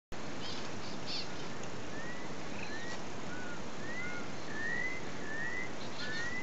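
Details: Campo troupial (Icterus jamacaii), Brazilian endemic, at Santa Luzia do Itanhy, Sergipe, north-east Brazil, November 2011, giving clear, slurred whistles that rise and fall about once a second over a steady low rumble of wind or distant noise.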